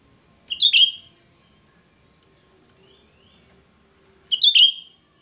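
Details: High, shrill song of a lively cucak rante, used as a lure to draw in other cucak rante: two loud, piercing, quickly warbled bursts nearly four seconds apart, with soft faint notes between them.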